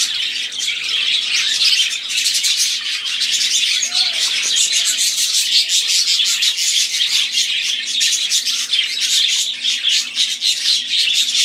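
A flock of budgerigars chatters nonstop, a dense, bright wash of rapid chirps, warbles and scratchy squeaks filling every second.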